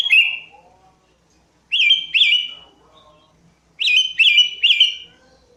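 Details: Sooty-headed bulbul lure song: clear, whistled, slightly wavering phrases given singly and then in quick pairs and triplets, with soft lower twittering in the gaps.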